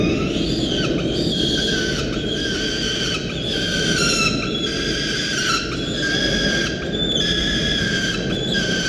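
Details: Peregrine falcon chick on a university nest camera on 13 November, calling hysterically as its mother arrives; continuous loud, harsh, harmonic screaming with short breaks, over steady low rumbling noise from the camera site.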